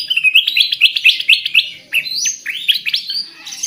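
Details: Black-capped (black-crested) bulbul, Pycnonotus melanicterus, song used as a lure call: a quick run of bright, high chirps, about five a second, then sweeping, rising whistled phrases that climb higher still.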